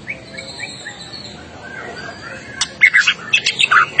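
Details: White-rumped shama, agitated and singing hard in a tutor recording for other birds: faint distant whistles, then a burst of loud varied chirps and whistled slurs in quick succession.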